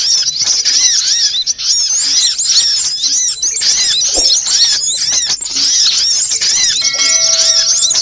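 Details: Sunbird chorus used to lure birds for trapping: busy, shrill, wavering chirps repeated in fast succession, densely layered, with a steady faint tone near the end.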